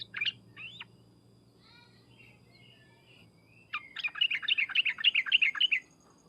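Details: Sooty-headed bulbul, trucukan and 'ngriwek uplik uplik' calls played to make bulbuls respond at once: two short chirps, a pause with faint warbling, then a fast run of bright, regularly repeated chattering notes lasting about two seconds, over a low hum.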